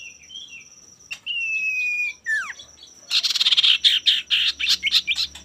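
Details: Male common iora singing actively, used to provoke rivals into singing: a bright whistled phrase, a long steady whistle, then a sharp falling slur and a run of rapid buzzy chattering notes over a thin constant high tone.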